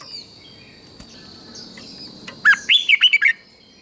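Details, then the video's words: In Thailand, a red-whiskered bulbul sings southern-style master song for exciting other bulbuls. After quiet, faint twitters and a high whine, one quick phrase of five or six fluty, bouncing notes. "เสียงนกกรงหัวจุก สำหรับต่อ หรือ เปิดให้นกคึก เสียงเพราะๆ"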